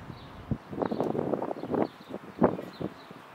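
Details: Mute swan in Tivoli Landscape Park, Ljubljana, on 2 April 2024, giving low, rough snorting and grunting sounds in short bursts over about three seconds, ending in one louder harsh snort.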